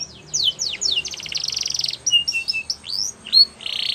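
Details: Song of a Belgian canary, played for training young canaries: fast descending whistled slurs run into a dense buzzy rattle, followed by short flat piping notes, an upward sweep and a final harsh buzz, all high-pitched.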